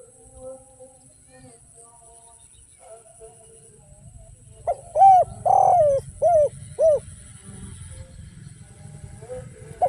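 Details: After several quiet seconds with faint tones, a spotted dove in the without-kuk and one-kuk style delivers one phrase: pickup note, arched coo, long falling coo, two short coos; a low rumble accompanies it.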